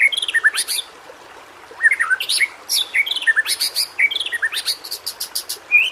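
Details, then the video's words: White-rumped shama (murai batu) singing richly for use as a training model for shamas slow to sing: varied rapid phrases of looping whistles, sharp chips and buzzy high notes, changing continuously. "masteran burung murai"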